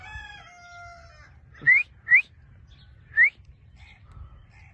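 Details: Ringneck parrot, a talking pet bird, holding a steady tonal note, then giving three loud, quick rising whistles and two softer short notes over a quiet low hum.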